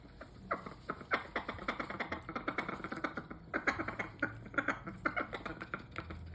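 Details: Parrot making odd noises indoors: a rapid, uneven run of dry clicks and pops, several per second, with brief tonal squeaks mixed in over a low steady hum.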